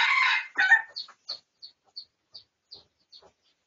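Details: A red junglefowl recorded for research on 18 August 2023 gives a harsh, loud, crowing burst, then a run of short, high, squeaky notes about three per second that fade away.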